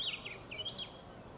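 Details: Oriental magpie-robin (Copsychus saularis), song.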